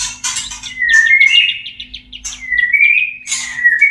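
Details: A caged white-rumped shama in breeding condition sings its mating song: rich, clear whistled phrases that slide and warble, broken by a few harsh rasping notes, with a faint steady hum behind.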